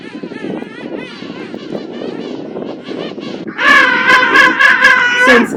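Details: King penguin chick in a small colony on Saunders Island, Falkland Islands, December 2024, gives a loud, quavering whistled call of rapid warbling pulses, apparently begging from an adult not its parent, after a man talking over colony noise.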